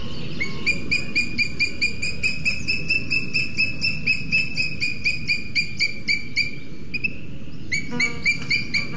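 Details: Booted eagle pair at a nest webcam in Sierra de Guadarrama National Park; the male arrives with a lizard while the female incubates two eggs. Loud, high whistled notes with ringing overtones repeat about twice a second, steady and insistent, over low background rumble.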